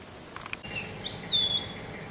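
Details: Orange-headed thrush in the teler song style, mixed with wind sound: a long thin high whistle, then a few quick sliding chirps and a clear falling whistled note over a soft low rumble.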